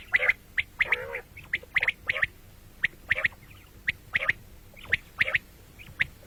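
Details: Common quail, morning and night calling: mostly sharp, clipped whistled notes in rapid pairs and triplets, repeated steadily, with one short buzzy rasp near the start.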